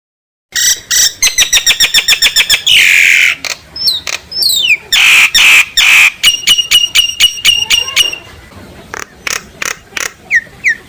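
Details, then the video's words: Common myna singing to call its flock, a loud, varied run of harsh rattling bursts, rapid clicking trains, buzzy notes and short upslurred whistles, with a few brief gaps. "tiếng chim sáo nâu hót gọi bầy kích bổi giọng chuẩn"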